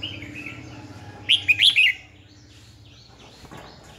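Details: Red-whiskered bulbul used as a decoy bird, singing to train and provoke rival bulbuls; a quick burst of bright, warbled whistling notes after a faint, quiet start, then a few soft distant chirps.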